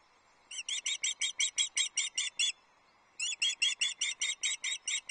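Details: High, squealing notes repeated quickly in two bursts from a female osprey screaming for fish on her Loch Arkaig nest, 27 April 2024, while the male brings the first trout of the day; faint background hiss.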